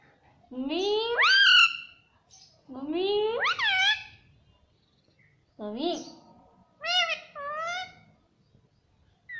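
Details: Pet parrot talking, saying "mummy" over and over in loud, drawn-out harmonic phrases that sweep steeply upward, four main utterances spaced a couple of seconds apart in a quiet setting.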